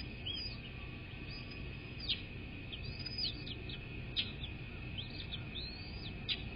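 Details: American bald eagles at their nest on a live nest cam, 10 February 2024 at 06:32: thin, arched whistled notes repeat irregularly, about one every two seconds, over a steady electrical hum and low rumble.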